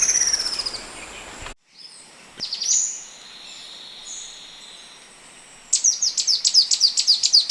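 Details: White-rumped shama (kacer) recorded in the wild, used as training material for 'tembak'-type birds: high whistled phrases broken by a brief dropout, a sustained thin note, then a fast run of sharp repeated chirps near the end.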